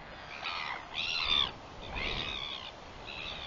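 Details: Northern royal albatross recorded on 21 September 2021: hoarse, harmonic-rich calling in three short bursts, each a rough nasal cry lasting about half a second, against a soft steady hiss.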